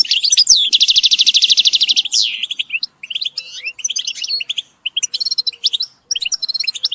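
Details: Group calls of European goldfinches, used to encourage birds. A strong rasping trill ends in a downward slur, then high, tinkling twitters follow in short bursts broken by tiny pauses.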